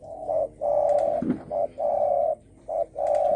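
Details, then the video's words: Spotted dove coos in the 'dong tho sam' style, used to stir up rival birds: three loud short-long couplets of hollow, steady hooting in quick succession, with a faint thud under the first pair. "Tiếng chim cu gáy đồng thổ sấm kích bổi"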